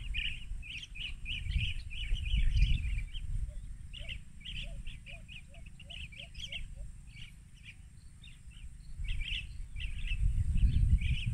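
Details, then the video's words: Rufous-crowned bee-eaters at Banna, Ilocos Norte, Philippines, at 14:30 on March 19, 2021, recorded by smartphone through a spotting scope. Bursts of quick chirps pause midway, then resume. A separate series of about eight lower, soft notes plays beneath, with rumbling background noise. "Rufous Crowned Bee-eaters"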